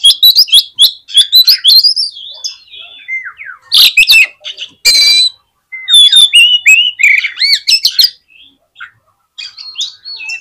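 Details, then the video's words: Oriental magpie-robin song for provoking other magpie-robins, dense loud mix of clear whistled slurs and harsh rasping bursts delivered in quick succession, tapering into a few thin notes. "CUKUP DI PLAY 3 MENIT BIKIN KACER LANGSUNG EMOSI TINGGI !!! PASTI CEPAT ON"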